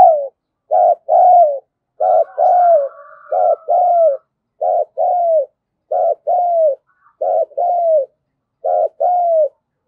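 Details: Decoy spotted dove cooing steadily to lure others: about seven mellow two-note phrases, each a short coo and a longer descending hoot, repeated roughly every 1.3 seconds in a regular rhythm.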